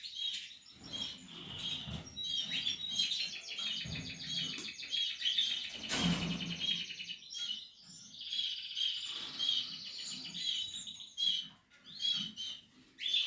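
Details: A nesting Portuguese harlequin canary sings continuous high rolling trills with repeated pulsed phrases. A loud clattering knock sounds halfway, and faint low rustling runs beneath.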